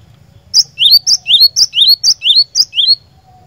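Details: Cinereous tit singing for luring a caged bird into song: a rhythmic series of six paired phrases, each a high clipped note then a lower rising whistle, roughly two phrases a second, loud and clear.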